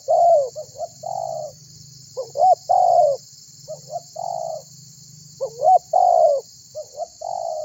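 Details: Cooing of a spotted dove used to prompt other birds to call. Low notes flick upward in quick pairs, then a drawn-out descending coo follows, repeated several times against a constant high-pitched hiss.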